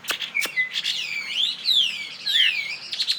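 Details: Loud, rich song of a Chinese hwamei fighting bird. Clear whistled notes glide up and down in long swooping slurs, with a couple of sharp clicks at the start, in a quiet indoor-sounding setting.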